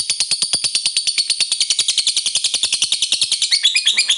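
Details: Lovebird chatter played as a lure for lovebirds to sing: about four seconds of evenly spaced, clicking high notes in quick succession, ending in a shriller squeaky flourish.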